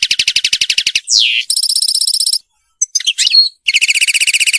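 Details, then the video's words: A European goldfinch, recorded as song tutoring for young birds, sings high, rapid tinkling trills of repeated notes, broken by a quick downward buzzy sweep and a short burst of twittering, with brief pauses. "تحفيظ طائر الحسون الملكي التغريد (المقنين)"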